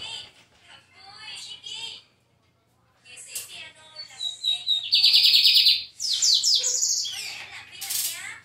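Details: Lined seedeater from João Pessoa singing a varied song: soft warbled phrases, then a loud rapid buzzy trill, followed by sharp chipping notes and quick descending slurs.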